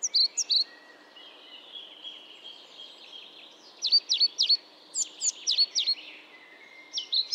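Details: European pied flycatcher: short, sharp high notes in brief clusters at the start, middle and end, some dipping and sweeping, with quiet stretches between and a steady background hiss.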